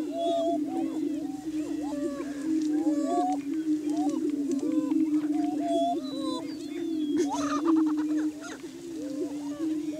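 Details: Several Greater Prairie Chickens boom together in courtship display on a hilltop lek in Washington County, Kansas, on a spring morning: a steady, low, hollow moaning drone with higher whoops and cackles rising and falling above it.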